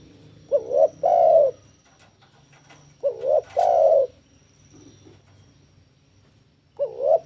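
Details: Spotted dove (tekukur) song used to lure and train doves: phrases of a short double-humped coo followed by a longer, fuller coo, repeated about every three seconds over a quiet low hum.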